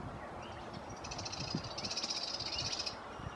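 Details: Hoary-headed grebe in Queensland, Australia, giving a high, rapid buzzy chatter of fast pulses that lasts about two seconds, set against a steady low rumble of background noise.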